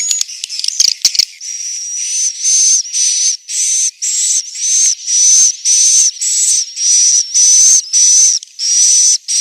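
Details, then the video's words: Swiftlets giving a roosting call in Central Sulawesi. Brief clicking at the start, then regular hissy buzzes with a thin high whistle, close to two per second. "Suara asli, inap walet"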